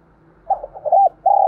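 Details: Brief low cooing from a spotted dove played to lure wild doves, a few short coos followed by a sustained steady coo, over a faint hum.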